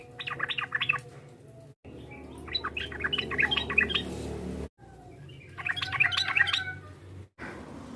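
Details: Sooty-headed bulbul in vigorous chattering meant to provoke a rival: three jumbled bursts of varied, warbling notes separated by abrupt breaks, over a constant low hum.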